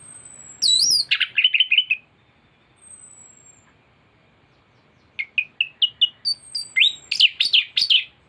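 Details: Thrush in teler-style song with complete mimicked fill-ins, tutoring master material to spur singing; a high falling whistle, then runs of short clear repeated notes, a pause, and a long series of rising whistled notes.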